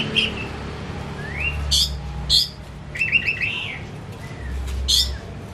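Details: Pet white-rumped shama singing as a lure for another shama: sparse rising whistles and short buzzy bursts separated by pauses, over a steady low hum.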